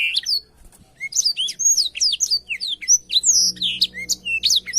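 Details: Blackthroat singing as a training model for canaries: a brief whistled start, a pause, then clear upslurred and downslurred whistles mixed with quick chips.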